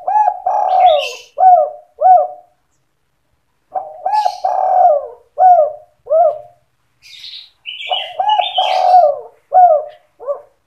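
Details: Spotted dove lure call for trapping, sandung kuk 2 style, bird calling vigorously: three phrases of deep husky cooing, each a rolling coo followed by two clipped kuk notes, with faint high twittering from other birds between phrases.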